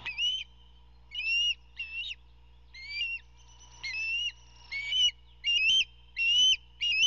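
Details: At an Osprey nest on the Georgia coast beside a salt marsh on June 14, 2021, during a fish delivery by the adult male to a hungry eldest fledgling, loud whistled chirps rise and fall, repeated about every second and quickening, over a faint hum.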